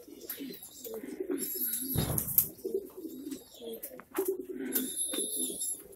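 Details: Female Pomeranian Pouter pigeon kept in Bhavnagar, Gujarat, India, with muffled rolling coos rising and falling in short phrases, several birds calling together, a sharp thump near the middle and background hiss.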